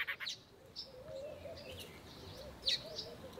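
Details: Cape robin-chat singing in a garden, a bird known for melodious song, accurate mimicry and scolding: varied clear whistled phrases, rising and falling, with a few sharp high notes in a quiet setting.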